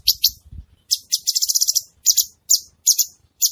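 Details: Gacor cucak cungkok bulbul in full song, giving quick high chirps and a short rattling run of notes, then sharp paired notes repeated about every half second.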